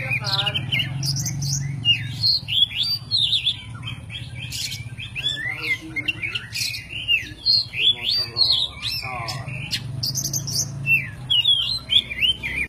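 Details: Kacer poci, the white-breasted oriental magpie-robin, sung as a master recording for training cage songbirds: a long, varied run of sharp whistles, chirps and slurred notes in dense bursts, with a steady low hum beneath.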